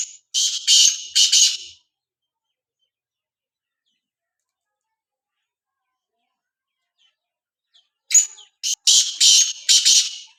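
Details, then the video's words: Black francolin repeating its grating call twice, about seven seconds apart, each phrase a string of four or five loud, harsh, buzzy notes with a quiet gap between. "kala tetar ki awaz boli"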